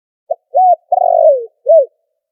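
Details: Spotted dove call with background noise filtered out, used as a lure for trapping: a short clipped note, an arched coo, a long drawn coo sliding downward, then a final arched coo, low and mellow against silence.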